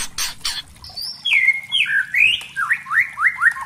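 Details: Lure song of a white-rumped shama: two harsh bursts, then high and mid whistles that slide down and up, finishing with a rhythmic series of sharp rising upslurred notes about every quarter second.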